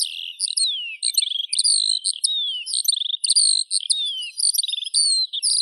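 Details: Eurasian skylark sings a long unbroken stream of high chirps, whistled down-slurs and rapid trills, shifting pitch constantly, alone and clearly recorded.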